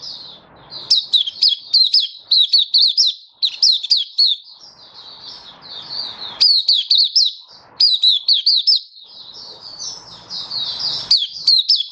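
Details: Malaysian mata puteh (white-eye) singing in open 'buka' style in warm, sunny weather in Singapore, 20 March 2023. Long runs of rapid, piercing high chirps with brief lulls, where soft background noise shows through.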